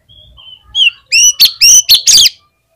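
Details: Oriental magpie-robin, a kept bird whose song is meant to set other magpie-robins singing: faint opening whistles, then a loud sequence of sharp, repeated ringing notes lasting about a second.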